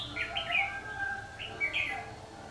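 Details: Red-whiskered bulbul used as a decoy in a two-sided trap cage to lure wild bulbuls: short, warbled, gliding phrases over steady background hiss.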